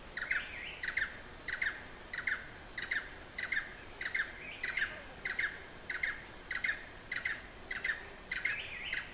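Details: A Blue-eared barbet (Psilopogon duvaucelii) in Hala-Bala Wildlife Sanctuary, far southern Thailand, repeats a ringing, double-noted 'tuk-trrt' about every two-thirds of a second in a steady run, with faint background hiss.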